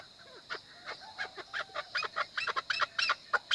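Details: Chukar calling in a series of short chuck notes that grow denser and louder over three seconds. Thin whistled tones run behind them against a hissy background.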